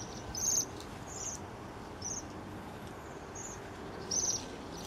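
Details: Waxwings at Banbury, Oxfordshire, 3 January 2017, giving high thin trilled calls in short bursts, a few louder and overlapping, over a constant low rumble of background noise.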